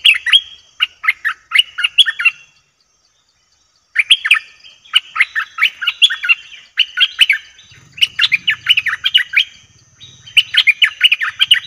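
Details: Bulbul recorded for luring wild birds, giving long runs of quick, jerky chirping notes in phrases broken by short pauses, lively and continuous, with a faint low rumble in the background.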